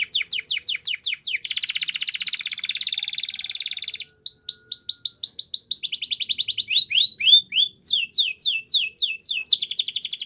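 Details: Training song of a Belgian canary: shifting tours of rapid falling whistles, a long buzzy rolled trill, then fast sweeps and chip notes, all high-pitched and continuous over ten seconds.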